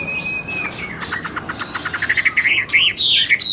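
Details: White-rumped shama with the shrimp-shaped tail, singing in the 'rít thuốc lào' style: a long level whistle, then a run of quick downward sweeps that speeds up into looping, rising notes, ending on a high whistle.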